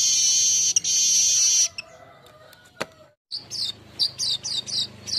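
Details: Golden-headed weaver singing, used to train caged birds. A long, high, buzzing hiss is followed by a short pause and then a quick series of sharp, slurred chirps.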